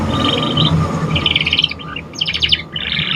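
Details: Young canary learning to sing, giving short buzzy trilled phrases in rapid pulses, broken by brief gaps, with a steady low background hum.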